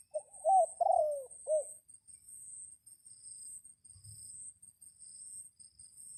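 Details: Single crow from a red junglefowl calling out to wild junglefowl during the rainy season: a quick lead note, a long wavering descending phrase, then a short closing note, followed by shrill continuous insect buzzing.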